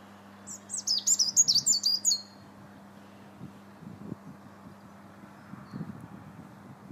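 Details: European robin singing in winter in the Linear Park, Bath, on 21 January 2017, heard from a bridge: a fast, high, thin warbling phrase of about one and a half seconds, then quiet with a steady low hum and faint rumbles.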